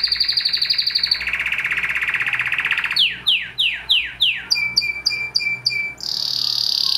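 A Spanish Timbrado canary sings a fast, bright rolling trill, then five quick downward-slurred notes and a run of repeated stepped chirps, ending in a high buzzy phrase.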